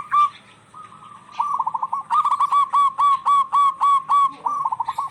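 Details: Zebra doves of the local type answering one another, used to coax quiet, stressed birds into song: after a soft opening note, rapid hooked coos pour out in a brisk rhythmic series of roughly four notes per second, growing louder.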